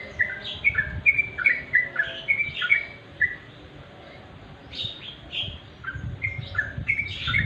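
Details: Dusk song of a sooty-headed bulbul: lively chains of sweet, slurred whistles, rapid at first, a short pause, then more overlapping whistled phrases, with faint low rumble below.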